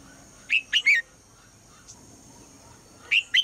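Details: Female red-whiskered bulbul calling in the morning to prompt the male to sing: a quick group of three bright, slurred whistled notes, a long pause, then two more similar notes over a steady faint background hum.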